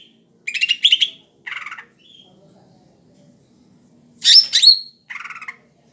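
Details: A very tame greater green leafbird in active song. Two bright trilled phrases and a lower buzzy note come first, and after a pause it gives loud sharp upswept notes and another buzzy phrase.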